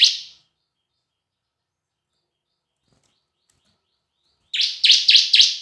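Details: Bar-winged prinia song used as a lure, semi and kristal styles: one short buzzy note, a long silence, then four rapid harsh buzzy notes repeated evenly.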